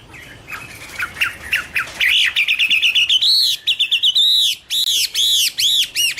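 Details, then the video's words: A Chinese hwamei pours out a fast, varied song: quick rattling notes rising steadily in pitch, then arched, ringing whistles repeated about once a second, loud and clear. "Birds Garrulax canorus: Singer yellow mouth - wonderful birdsong"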